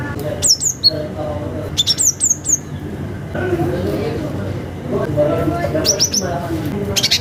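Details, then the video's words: Cinereous tit calling to a rival, used as a lure for young birds, giving short bursts of high, thin, downward-sliding whistled notes in three quick groups over murmuring voices and low background noise. "Gelatik Batu suara alam manggil lawan"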